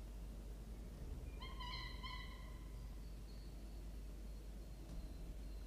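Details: Falcon nestlings, three weeks old, one male and one female, filmed by a nest camera on the evening of 25 October 2023. A drawn-out harmonic wailing cry lasts nearly two seconds, then a faint thin note, under constant low hum.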